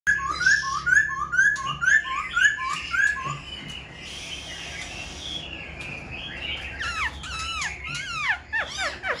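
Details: Caged Black-throated Laughingthrush, a bird for sale, fanning its tail and dancing with its wings. A run of short, clear whistled slurs repeats about twice a second, then gives way to steep, sweeping descending notes near the end.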